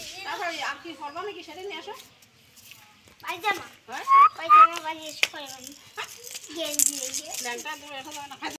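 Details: A caged common myna, named Mithu, chatters in a high, human-like voice, copying speech in quick word-like phrases.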